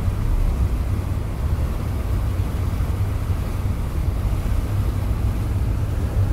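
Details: Constant low wind buffeting and rumble dominate, with no bird or other animal voice audible.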